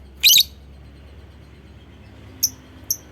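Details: Lovebird lure call meant to trigger other lovebirds into ngekek song: one loud, shrill, grating chirp, followed two seconds later by two faint, thin, high notes.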